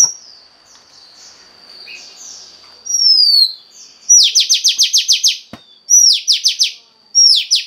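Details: Female Oriental magpie-robin voice for stimulating a male: a faint warbling start and a long descending whistle, followed by bursts of rapid, evenly repeated buzzy downslurred notes separated by short whistles.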